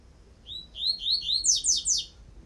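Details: Double-collared Seedeater, known as coleiro tui-tui, singing a tutoring song: four upward-slurred whistles in quick succession, then three steep high descending sweeps, crisp and close with little background noise.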